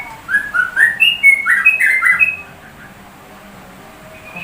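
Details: Sooty-headed bulbul delivering shama-like song: a rapid burst of about ten clear whistled notes stepping up and down, then near silence with one thin whistle at the end.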